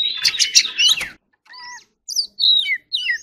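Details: Oriental magpie-robin (choè than) performing 'hót đấu' song: a harsh, buzzy rattling burst opens, followed by soft clear whistles and sharp slurred notes after a pause.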